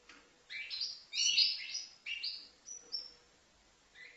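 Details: Five-month-old goldfinch from Livno gives a short burst of bright, tinkling chirps and twitters, then a couple of thin high whistled notes before falling quiet.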